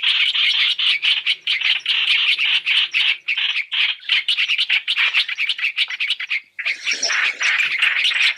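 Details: Chinese hwamei lure calls for trapping: a steady rasping chatter, a brief break, then a noisier, broader burst of scolding notes.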